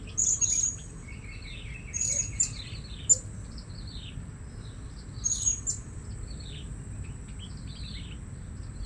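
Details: At a new luring spot, blue-crowned hanging parrots give loud, piercing high chirps in short bursts roughly every two to three seconds, some with quick falling squeaks, against a steady high whine.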